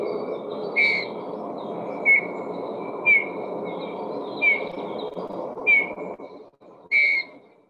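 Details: Eurasian Bullfinch, a rarely seen bird, giving its quiet call of soft, short piping whistles, like a little toy tooting, spaced about a second apart over a steady low hum.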